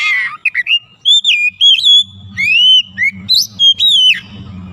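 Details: Oriental magpie-robin, a once-lazy singer being restored to vigorous song, pours out a nearly continuous string of loud, clear whistles, long slurs alternating with quick notes, over a faint low background hum.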